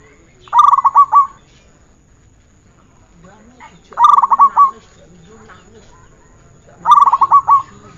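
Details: Zebra dove (perkutut) song from a training recording: three bouts about three seconds apart, each a quick run of about six to eight clipped, even cooing notes, with a quiet background.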